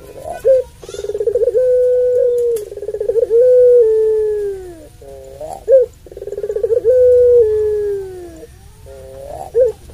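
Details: Drawn-out coos from a puter pelung dove, used as a lure to provoke rival doves. Quick bursts of stepped notes lead into long steady coos that fall at the close, repeated several times.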